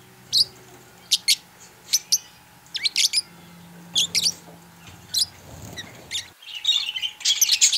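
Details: Pet purple budgerigar calling with sharp separate chirps every second or so, then a quicker burst of chattering warbles near the end, heard indoors with a faint steady hum.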